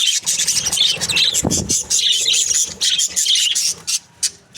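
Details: Budgerigars kept as breeding pairs, a dense run of high scratchy chirps and warbles from several birds, with one brief lower thump partway through and a short pause near the end.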